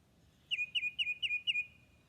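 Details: A recording of an alternative tufted titmouse call, not the 'Peter, Peter' song, played one morning in the Northern Virginia woods: five quick, high whistled notes, each with a sharp onset and a brief steady tail, about four per second; quiet background.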